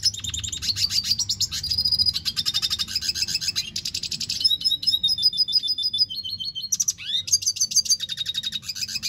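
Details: Red siskin singing a long, high twittering song of fast repeated chips, rolling into buzzy trills and thin rising slurred whistles, with barely a pause across nine seconds, over a low steady hum.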